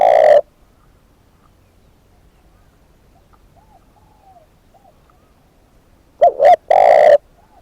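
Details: Decoy spotted dove heard at the start with the tail of a coo, then after a long pause a complete phrase of a short double note and a long coo. Faint far-off cooing is heard throughout.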